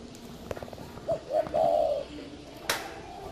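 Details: Spotted dove kept at a dove-breeding garden in Ba Vì, northern Vietnam, gives a single cooing phrase: two short soft notes and then a longer, wavering coo. Light clicks and a sharp knock are heard around it.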